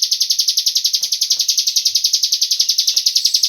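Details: Cigun bird lure recording meant to make other birds sing: a shrill, buzzing trill of evenly spaced pulses, about three per second, steady from start to end.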